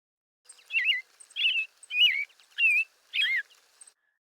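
American Robin singing five sweet, warbled whistled phrases, each clearly separated by a short pause, about one every two-thirds of a second, in a quiet setting.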